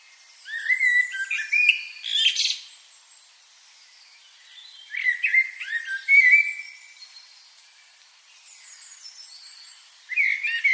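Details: Chirping birds in three loud bursts of quick, high twittering notes and short rising whistles, separated by quiet pauses.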